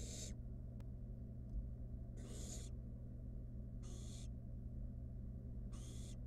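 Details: A wild barn owl chick in a nest box, handling food its mother delivered, repeats a coarse, breathy hiss four times, roughly every one and a half seconds, over low hum and a single click.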